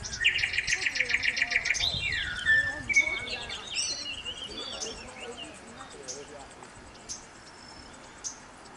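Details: Mourning warbler singing in Collingwood, Ontario, Canada: a rapid, rolling series of repeated chirpy two-note phrases in the first two seconds, followed by assorted whistles and chips from other birds in the background.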